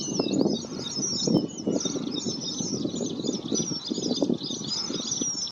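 A flock of red avadavats keeps up a steady chatter of thin, high chirps and squeaks, over a low fluttering, thumping rumble.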